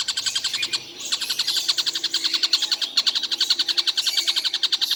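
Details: Stork-billed Kingfisher in continuous all-day calling: quick, chattering, ringing notes in a fast pulse of roughly three to four per second, with a faint low hum beneath.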